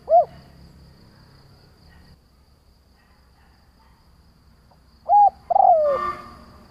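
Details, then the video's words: Spotted dove lure bird used in trapping, cooing to draw in other doves: a short mid-pitched coo, a long silence, then a two-part phrase ending in a drawn-out, falling croo. "Tiếng Chim cu Mồi gáy gọi - Chim cu gáy kích bổi nhanh nổi hiệu quả"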